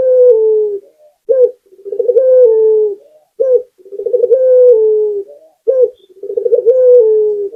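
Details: Barbary dove, a local puter, singing energetically as a lure: a steady cycle of a short emphatic coo, a rippling rolling trill and a long falling coo, about three full phrases with clean gaps.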